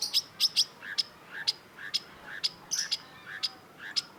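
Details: Long-tailed shrike song used for training songbirds: crisp, very high ticking notes about every half second, some doubled, each trailed by a softer lower note.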